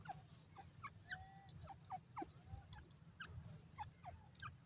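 Francolin calls: short, sharp, slurred notes repeated several times a second at mid pitch, over a steady low rumble.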